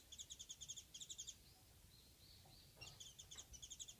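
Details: A single Warbling white-eye visiting a house garden, where a pair came in earlier years, gives quick runs of high, dry chips in short bursts with thin drawn-out whistles between them, over a low background rumble.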